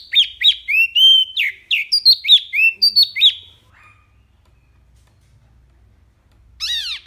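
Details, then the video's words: Wambi mini in tembakan style: quick sequence of high, sharply curved chirps and short whistles, followed by near silence and a single brief descending burst at the end. "SUARA JERNIH TEMBAKAN WAMBI MINI"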